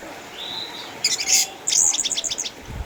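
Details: Orange-headed thrush, an eight-year-old caged former champion from Sukabumi, Indonesia, kept at home due to cataracts: a soft whistle, then dense high buzzy bursts and a rapid series of sharp chattering notes.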